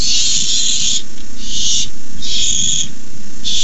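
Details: Barn owl nestlings at a nest camera begging as a rat is delivered on 29 May 2015, producing loud, harsh, rasping hisses in long bursts separated by brief drops in sound.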